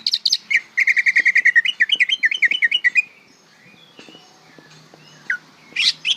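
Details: Practising young greater green leafbird delivers a long, rapid series of bright whistled notes, some flat and some wavering, about three per second-beat, over three seconds, then scattered high chirps after a quiet gap.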